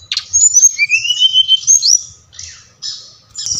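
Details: Brown-chested jungle flycatcher song played to stimulate captive birds to sing: high thin whistled notes and rising slurred phrases, a long clear whistle sliding upward near the middle, then scratchy high twittering bursts.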